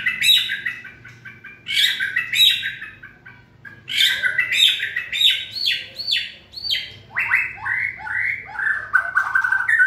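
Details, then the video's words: White-rumped shama (Vietnamese Cọp Biển) in peak 'fire' condition, 2020 season, singing a rich, varied song of loud slurred whistles and rapid chattering phrases, with bursts every couple of seconds and a run of falling notes at the end. "Cọp Biển rực lửa (shama bird)"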